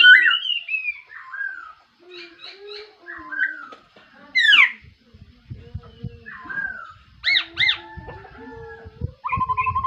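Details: Laughingthrush singing in the morning: loud, slurred whistled phrases that rise and fall, with sharp upswept notes and a few repeated chips. Soft low knocks and rustling sounds come from nearby.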